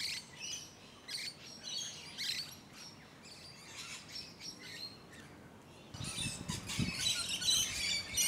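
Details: Shrill, buzzy screeches from musk lorikeets, repeated rapidly and unevenly. The calls grow louder and denser toward the end. Filmed close up in Hunters Hill, a leafy Sydney suburb in Australia, around late November to early December 2020.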